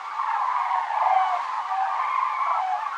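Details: A flock of common cranes migrates south over Navarra in the Pyrenees on 1 November 2017, circling and regrouping overhead. They give a steady chorus of overlapping trumpeting, bugling flight calls, many birds at once with no break.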